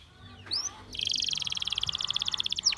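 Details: Belgian canary with a single faint upswept note, followed by a sustained rolling trill of fast, evenly spaced high pulses.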